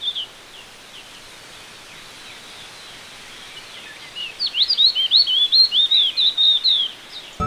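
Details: An Indian (Oriental) white-eye in Sri Lanka gives faint, thin tsee notes, then a quick run of high, slurred, twittering calls, several per second, over steady background hiss.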